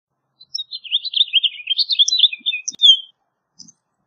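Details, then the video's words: House finch song: a rapid warbled run of slurred, twittering notes between 0.5 and 3 seconds, ending in a longer downslurred note, then one short faint chirp. "Pinzón Mexicano / Carpodaco Canto! Llamado! Cantando! - House Finch Song"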